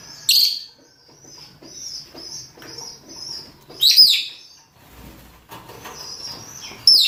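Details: Lovebirds of two kinds, rosy-faced and Fischer's, males and females calling to mate: a string of short, high, repeated chirps between loud, grating shrieks at the start, middle and end.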